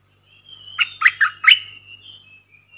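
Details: Streak-eared Bulbul used as a caged decoy, calling while wild birds circle without coming down; four rapid throaty chirps over a thin, sustained whistle-like tone.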